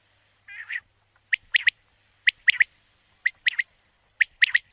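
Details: Common quail opening with a nasal wavering growl, then four clipped triplet phrases, roughly one per second, clear against a quiet background.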